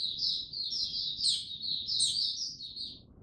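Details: Mata puteh (white-eye) male, slow and steady before opening its Tsunami song, dated 06032022; one unbroken stream of thin, high warbled twitters with a few sharper accented notes.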